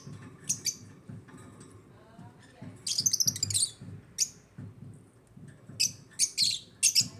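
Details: African lovebirds chirping in an aviary: bursts of high, sharp chirps and squeaky notes in clusters, with quieter gaps between, over a faint low background hum.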